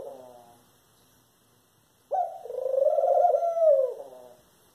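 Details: After the fading end of an earlier call and a short silence, a Eurasian collared dove gives one long, buzzy, low nasal call of nearly two seconds that ends abruptly.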